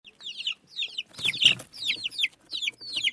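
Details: Desi hen's baby chicks searching the ground, giving high, thin peeps that slide downward, in short bursts of several notes, with a brief rustling scrape in the middle.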